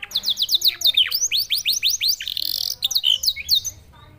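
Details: Canary singing in a style likened to a Senegalese songbird: a fast series of downward-sweeping whistled notes, repeated several times a second, then a brief buzzy trill and more high chips, with a faint low hum beneath.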